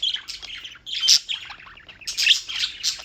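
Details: Birds chirping in New York, United States: loud high squeaky twitters in three bursts split by short pauses, several voices overlapping.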